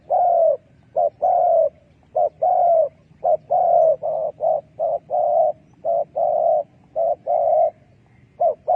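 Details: Spotted dove decoy call used to lure wild doves for trapping: low, mellow coos repeated in quick bursts, roughly one per second, some longer and some clipped, with a faint low hum underneath.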